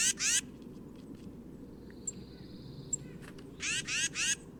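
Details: Tufted Titmouse scratchy nasal scold call, given toward other birds or when predators are near, Indiana: harsh buzzy rasps at the start, then three more grating bursts near the end, with a few faint chips and steady background hiss.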